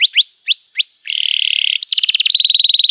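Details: Canary song, described as long, lively "cuit cuit" singing used to prompt young canaries to learn: three rising whistled sweeps, a steady buzzy trill, then rapid repeated pulsed notes, loud and clean with no background.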